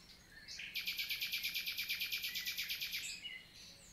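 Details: Common nightingale in summer morning song, countryside forest, Vallée du Célé, Lot, south of France, 11 June 2023. A fast, even rattling trill of about twenty sharp repeated notes runs for over two seconds, between quieter lead-in and closing notes.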